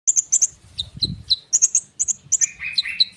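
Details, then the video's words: Common iora in lively form, singing a dense rolling song used as a lure to make young sunbirds respond; high, sharp chirps in quick doublets alternate with lower slurred whistles, ending in a buzzy warble. "konin gacor ngerol suara rapat untuk pancingan kolibri bahan cepat respon!!!"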